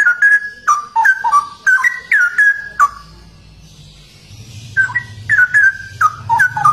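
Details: Straw-headed bulbul, locally cucak rowo, a rare bird celebrated for its unusual song, produces a long bubbling run of whistled notes, pauses for over a second, then resumes with another lively warbled series.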